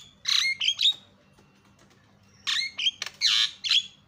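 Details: Javan myna calling as a lure to make other birds call: two separated bursts of grating squawks with whistled overtones, each about a second long, split by a quiet gap with a faint hum.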